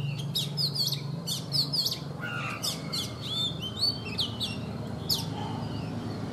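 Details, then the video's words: Wild-caught adult Oriental magpie-robin, kept caged for three seasons, singing in the morning: rapid clusters of sharp high chirps and whistled slurs, with a lower fluty phrase midway and a steady low background hum. "Chòe Than già rừng - 3 mùa lồng hót buổi sáng"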